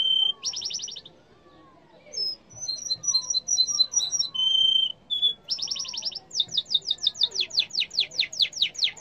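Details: A yellow canary sings a varied, high song: buzzy trills, clear whistled notes, and a closing run of rapid, repeated downslurred chips at about three per second.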